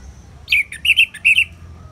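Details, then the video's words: Ngeplong song of an orange-headed thrush for bird therapy: a dropping whistle followed by bright, varied warbled notes with sharp high overtones, delivered in a quick burst over soft background hiss. "Terapi ANIS MERAH Ngeplong"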